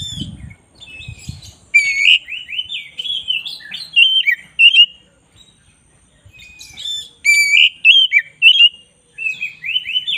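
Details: Oriental magpie-robin of the black-breasted form in full, steady song for bird training: rapid whistled phrases and rising slurs in bursts, a silent gap mid-way, faint low thumps at the start.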